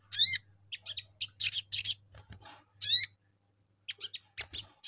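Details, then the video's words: Sogon calling to lure other birds: bright upward-sweeping chirps and short buzzy bursts at irregular intervals, fading to softer clicks near the end, with a low steady hum. "SUARA PANCINGAN SOGON INI"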